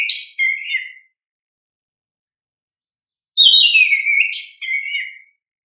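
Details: Singing oriental magpie-robin (kacer), played as a lure to stir young caged birds: a short warbled phrase ends, a pause follows, then a fuller phrase of clear whistles slides downward with high sharp notes inserted.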